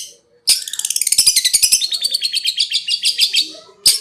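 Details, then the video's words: Long-tailed shrike (cendet) konslet-style training song: after a short pause, a fast, buzzy trill of rapid repeated notes runs for about three seconds, then one sharp burst. "RAJANYA CENDET,GURU VOKAL ANDALAN,CENDET KONSLET TIADA TANDING"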